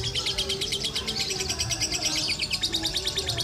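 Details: A competing lovebird at a bird-singing contest, adult lovebird class, sings a fast, unbroken stream of shrill, high chirps and twitters, about three per second, over low crowd murmur and voices.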